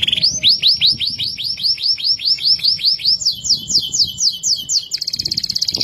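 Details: Loud, clear-voiced loper canary whose singing is said to prompt other canaries to sing: a fast string of rising swept notes about two per second, shifting to a higher, quicker trilled series and ending in a rapid buzzy roll.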